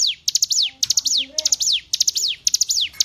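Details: Tutor recording of a hill prinia for teaching captive songbirds: quick bursts of piercing, clipped high notes that slide down at the end, repeated at a brisk even pace, with faint lower chirps behind.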